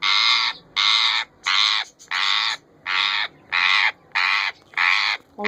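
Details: A hand-tame female rose-ringed parakeet gives eight harsh, raspy squawks, each about half a second long and repeated steadily every two-thirds of a second; no clear talking is heard.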